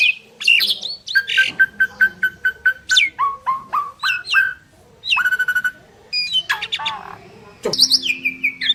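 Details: Two Asian pied starlings singing in duet: a busy run of harsh notes and clear whistles, a steady series of about ten evenly repeated short notes, then rasping buzzy bursts and rising whistled phrases.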